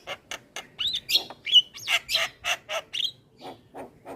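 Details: Javan myna singing in a recording meant to train other mynas; harsh squawks and buzzy notes alternate with short clear whistles, delivered in a rapid, uneven string of about a dozen bursts.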